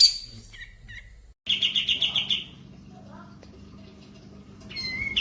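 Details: Kapas tembak in breeding condition with tail spread, singing: a few short high chips, then a quick pulsed trill of about ten notes, a pause, and a clear rising whistle at the end.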